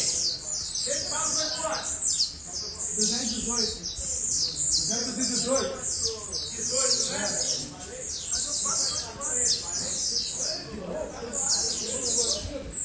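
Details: Blue-black grassquit in an intense singing bout: a steady run of very high, short, buzzy down-slurred notes repeated many times a second, with lower murmuring sounds and possible voices underneath.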